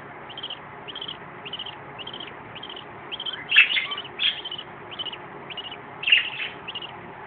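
Young parakeets give a steady run of thin, high chirps, about three a second, broken by a few louder, harsher squawks.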